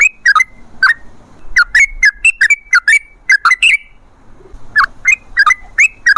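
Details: Lure song of a sooty-headed bulbul used to draw wild birds into replying: clear, liquid, rising and falling whistled notes in lively clusters, a short silent pause midway, then the chattering phrases resume.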